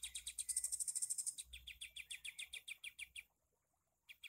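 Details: Sooty-headed bulbul used as a tutor song for kept birds: a quick, even run of bright, high ticking chirps, accelerating at first, then steadier for about three seconds before a short silence and a final burst.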